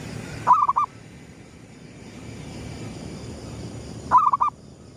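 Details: Gedong mengo zebra dove cooing at sunrise as a lure call: two rapid, rolling phrases of four or five mid-pitched coos, spaced about three and a half seconds apart, against low steady noise.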